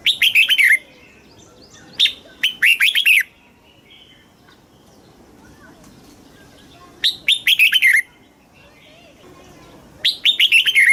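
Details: Red-whiskered bulbul from Thailand, caged, singing in the southern master-style phrasing used to stimulate caged birds and teach young birds: four short phrases of quick whistled notes, each about one second, separated by pauses.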